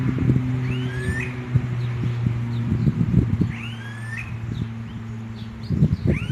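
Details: Smooth-billed ani calls: upslurred whining whistles that climb and then hook, heard three times over a steady low engine-like hum and scattered knocks.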